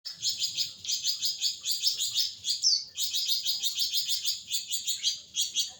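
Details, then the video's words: Caged flamboyan bird singing a long, continuous chattering song of rapid, high buzzy notes in fast pulsed runs, with a brief break midway, mimicking shama and greenbul; no other clear sounds. "Flamboyan nyecret panjang"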